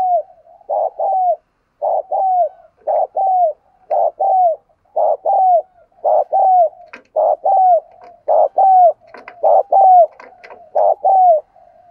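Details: Spotted dove decoy cooing meant to rouse male doves: a steady series of soft, hollow two-part coos, each ending with a downward slur, about a dozen phrases at an even pace. Faint higher chirps sound in the background.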